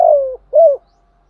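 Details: Fragment of a decoy spotted dove's luring coo: the tail of a long falling coo, then one rounded hollow coo rising and falling, followed by quiet.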